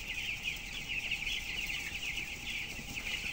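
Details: Broilers aged 12 days and weighing 423 grams, kept in a closed-house shed of 7,000 birds, produce a loud dense wall of high piping cheeps, slightly pulsing in strength, over quiet low hum.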